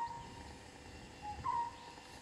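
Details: Juvenile European honey buzzard (Pernis apivorus) calls: thin, level whistles, a faint one, then a short note and a slightly louder, drawn-out whistle, over soft outdoor hiss.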